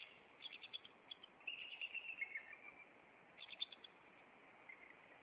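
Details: At a Maine nest in late April, a bald eagle pair confronts an intruder; fainter runs of quick, high piping chips come in two short bouts over steady background hiss.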